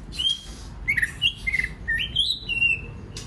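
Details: White-rumped shama, used to provoke other birds to sing, giving a sequence of sweet whistled notes that step up and down, ending on a longer level whistle.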